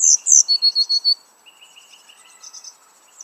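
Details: Coal tits at a garden nest box while rearing chicks, late May 2019: a few very high, sharp down-slurred notes, then a quick run of six bright, even piping notes, followed by faint high twittering.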